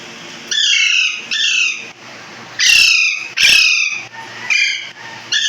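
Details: Budgerigars in an aviary, kept in cages, playing and eating together, give squawky downward-sliding chirps. The bursts repeat roughly every second with brief gaps between them.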